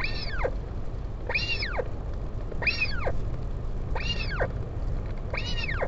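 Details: During a parent visit to a chick at a northern royal albatross colony, Taiaroa Head near Dunedin, New Zealand, 16 July 2019: five evenly spaced, arching whining calls, roughly every 1.3 seconds, over constant low wind noise.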